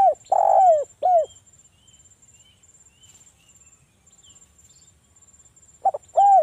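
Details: Local spotted dove singing a lure song meant to make other doves answer: a loud, hollow three-note cooing phrase, a long pause, then the phrase begins again. A thin, steady, high-pitched insect trill runs throughout.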